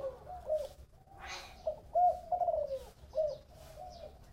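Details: Spotted dove singing in the 'thổ bầu' style: mellow coos rising slightly then falling in a drawn-out phrase, followed by a shorter coo, with a brief hiss of noise in between.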